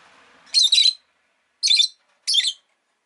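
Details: Rosy-faced lovebird (Agapornis roseicollis) giving three harsh, high-pitched chirps, each about a third of a second, over a faint low hum at the start.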